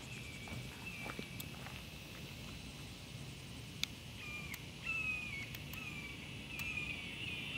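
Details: Red-shouldered hawk (Buteo lineatus) call: a few drawn-out, high, downslurred screams, one loud and the others faint, over steady low rumbling background noise and a few clicks.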